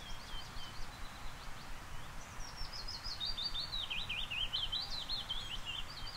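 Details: A Willow Warbler sings in old forest in Norway during warm weather: a sweet, liquid phrase of soft whistled notes sliding gently down the scale, over a steady low rumble of wind.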